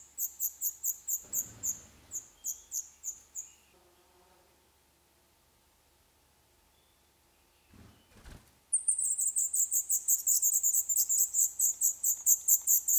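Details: Black redstart nestlings on day 11, in a nest inside an old furnace pipe of a building awaiting demolition in Poland. Thin, high begging notes repeat rapidly, then fall quiet among knocks before a loud, dense begging chorus bursts out.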